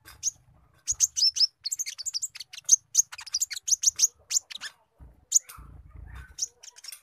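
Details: Speckled-form sunbird singing a squirrel imitation as its song filler: a fast stream of sharp, very high chips and short whistled notes, tightly packed, with a pause midway and faint low rumbling underneath.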